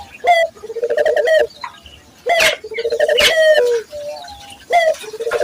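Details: Lure recording of a local Barbary dove for training other doves to coo readily: a brief bright upward note followed by a throaty, rippling coo, heard in three phrases.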